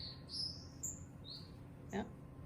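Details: A male green-backed twinspot sings in a home aviary flight cage in mid-afternoon, giving a few thin, very high whistled notes, some sliding upward, over a low background hum and one short knock.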